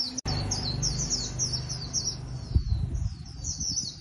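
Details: Wild-caught Japanese white-eye kept as a cage bird, singing: thin, very high twittering phrases running almost nonstop, with a steady low hum and a few knocks underneath.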